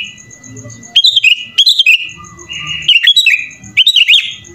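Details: Sooty-headed bulbul (kutilang) singing persistently in the 'full isian' style, rich with inserted phrases. Loud bursts of bright, looping whistles with rapid clicking notes come at intervals, with quiet pauses and faint background hum between them.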